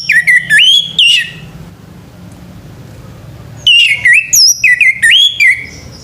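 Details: Morning song of a male orange-headed thrush: rich, loud whistled phrases with rising and falling slurred notes, given in two dense bursts separated by a quiet pause of about two seconds, with a faint low hum in the background.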